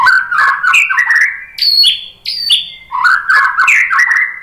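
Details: White-rumped shama singing to provoke rivals into song; warbling rich phrases interrupted by two bright high whistles that drop in pitch, then a return to fast, slurred warbles.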